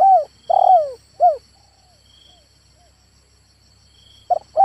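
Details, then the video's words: Male spotted dove call: the end of a phrase with a long, slurred, descending note and a short closing coo, a quiet gap, then the next phrase beginning; a faint high steady insect whine. "SUARA TEKUKUR JANTAN ‼️ TEKUKUR LIAR PUN TIDAK SUKA DENGAN SUARA INI"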